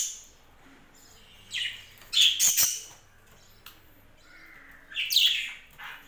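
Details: Pet budgerigars kept on a home budgie farm, giving harsh, buzzy chirps in short bursts, one a quick run of three grating notes, with quiet gaps between calls and a faint low hum behind.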